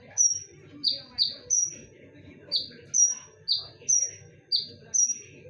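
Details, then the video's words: Konin singing as a lure: loud, sharp whistled notes repeated about once per second, alternating a high flat whistle with a lower note that slides down and levels off; faint low murmur beneath. "KONIN GACOR FULL TEMBAKAN / SUARA TAJAM DAN NYARING / BERANI DENGARKAN SUARA PANCINGAN KONIN INI??"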